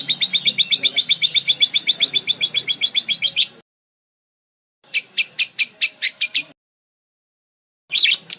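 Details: Budgerigar song in varied phrases, used as tutor material for training other birds. Fast, even chattering notes repeat about four times a second in a long run, then pause, resume in a shorter burst, and start again after a gap.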